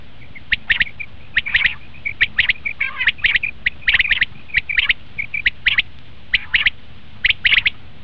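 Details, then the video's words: A common quail call used to attract quail for hunting: dense series of sharp notes in tight clusters with brief soft whistled notes between, about seventy bursts a minute, one rattling note near three seconds. "batair ki awaz"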